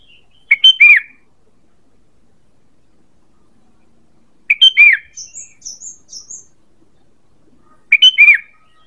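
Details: Sooty-headed bulbul call for luring birds, three chirpy phrases each ending in a falling whistle, spaced several seconds apart, with a brief run of high, thin twitters after the second.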